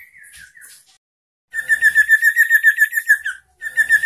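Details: {'caption': 'Sooty-headed bulbul singing persistently to provoke rivals: a few thin descending whistles, a pause, then a fast rattling trill of about twenty buzzy pulses lasting two seconds, then a brief silence before the trill starts again.'}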